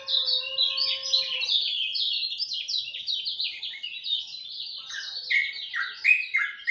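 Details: Dawn song of a lemon-bellied white-eye: a continuous bright, rapid twittering of high slurred notes, dropping to lower swooping whistles toward the end, with a steady low tone at the start.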